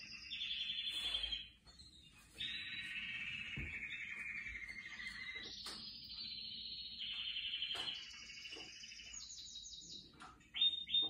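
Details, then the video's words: A canary sings continuously: long rolling trills and sustained high whistled tours, shifting pitch every second or two, with brief buzzy notes between. "زقزقة عصافير الكاناري"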